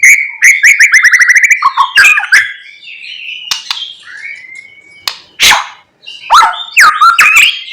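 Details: White-rumped shama singing in the morning to goad other shamas: a rapid series of repeated chattering notes, then sharp harsh calls, a sliding whistle and loud clicking phrases.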